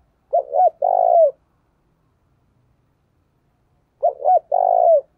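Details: Decoy spotted dove calling to attract wild doves. Two identical phrases under four seconds apart, each made of two short, slightly rasping notes and then a drawn-out, level coo. No background noise.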